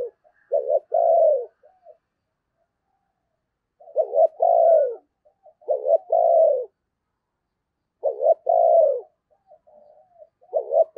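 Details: Decoy spotted dove cooing to attract wild doves during the Tet season, repeating low, hooting multi-note phrases about every two seconds, each ending in a longer drawn coo.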